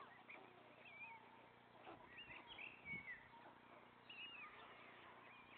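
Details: White stork father feeding three young on the nest; faint, high mewing whistles that slide upward, scattered irregularly, with a constant low hum behind.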